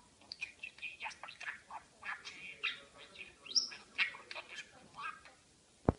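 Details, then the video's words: Pet parakeet babbling in imitation of speech, rolling scratchy warbles and high squeaks in a fast series, one rising whistle, ending with a sharp knock. "Periquito Maca hablando."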